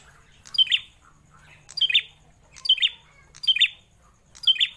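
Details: Captive prenjak klawu prinia, kept for more than four years, sings five ringing chirps about a second apart, each a sharp high note falling quickly, clear against a quiet background.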